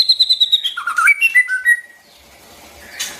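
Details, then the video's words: Song of a white-rumped shama, played to teach young birds and to stir wild-caught ones: a quick run of high, even notes slides downward into several clear whistled notes, then falls silent. "tiếng chim choè lửa hót"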